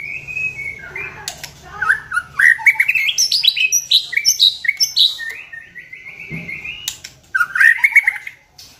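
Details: White-rumped shama singing, played as a lure to make other birds sing. A steady whistle, then a busy stream of chirps, trills and rising whistles, ending in bright rapid warbling.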